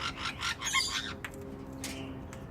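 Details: A black-headed caique in an aviary in Brisbane, Australia, eating passionfruit, gives a second of harsh, rasping chatter, then a few sharp clicks over a low steady hum.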